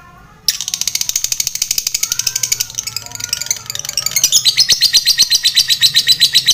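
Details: Long ngetik-into-ngekek lovebird song used to provoke fighter lovebirds: a continuous, very fast, shrill rattling chatter that grows louder and denser toward the end.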